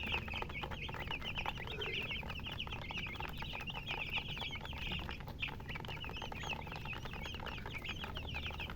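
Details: Baby chicks give bright, rapid peeping chirps, many birds overlapping in a busy chorus, a low hum running steadily behind.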